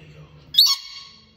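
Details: A pet red-collared lorikeet, in conversation with its owner, gives a single short, high, squeaky note, sharp at the start and fading quickly, after a faint low murmur in a quiet room; the owner takes it as a "yes" to "Do you love me?"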